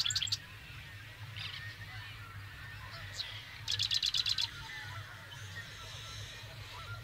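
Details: Marsh wren in spring mating ritual, central North Dakota, late May 2022: a fast, dry, rattling trill of about eight high clicking notes. Scattered faint high chips come before it, over a constant low rumble.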